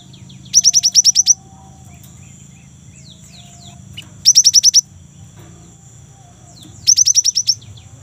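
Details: A young great tit in active song, used to stimulate kept birds. Three bursts of about eight rapid, high, descending notes, spaced roughly three seconds apart, over a low murmuring background.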